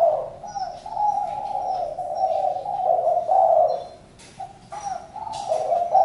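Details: Sustained low cooing of a spotted dove drops out for about half a second near four seconds, then resumes in steady notes. Faint high chirps of other birds are heard.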